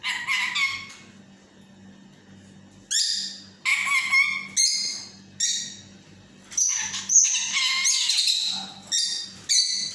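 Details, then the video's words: Pet yellow talking parrot indoors producing short bursts of high, harsh, chattering syllables separated by pauses, with a steady low electrical hum behind. "Peeko is talking parrot || Peeko in his talking mood"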